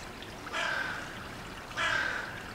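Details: One of a group of Eurasian magpies pestering a common buzzard to drive it from carrion gives two harsh, rasping calls about a second apart, over a steady background hiss.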